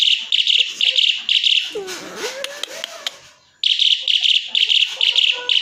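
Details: Asian pied starling song of harsh, buzzy bursts repeated in quick rhythm. A softer stretch follows with a low, sliding tone and scattered clicks, then the rapid buzzy bursts resume.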